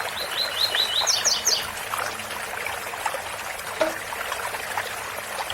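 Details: Double-collared seedeater performing a tui-tui bitola phrase: a quick run of bright, clipped chirps lasting under two seconds, then only the loud, hissing rush of a waterfall for the rest.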